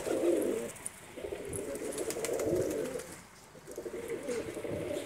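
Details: Hobby-kept domestic pigeons give deep, burbling coos in bursts, with a quieter pause in the middle, against a noisy background.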